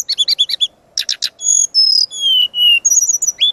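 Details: Master song of a brown-chested jungle flycatcher, sung energetically with full variation for training birds. Bouncy paired chirps open, then buzzy stacked notes, followed by long clear whistles sliding gradually lower, and ending with quick high trills.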